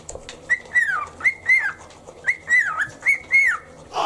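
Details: Cockatiel kept as a pet whistling on a shoulder during morning toothbrushing: paired drawn-out whistles that swell and fall in pitch, repeated three times, with a brief rustle at the end.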